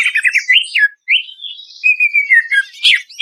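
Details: Greater green leafbird song from a lure recording for stressed birds: quick stuttering chirps, a rising whistle, then a long wavering sustained note falling away, ending in a loud burst.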